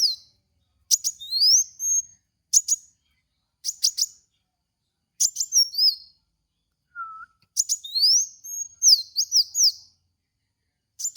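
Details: Van Hasselt's sunbird, known locally as kolibri wulung, in a lure recording for cage-bird training: short bursts of sharp ticks and high rising and falling sweeps, separated by brief silences, with one lower whistled note midway.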